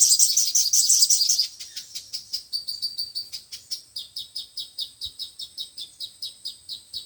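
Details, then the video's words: Sunbird song broadcast from a speaker to attract birds for trapping: a dense, loud buzzy twitter at first, then a long, even series of short sharp chips, roughly three per second. "Tiếng chim hút mật 5 màu và 7 màu"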